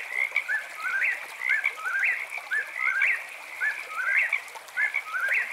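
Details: Eastern whip-poor-will singing at night, its whistled three-part phrase with a rising final note repeated about once a second, over a steady high chirping chorus of frogs.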